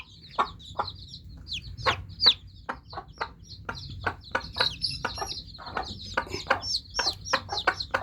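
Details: Just-hatched chicks peeping continuously, high thin chirps sliding downward, many birds calling over each other, with frequent short dry tapping clicks throughout.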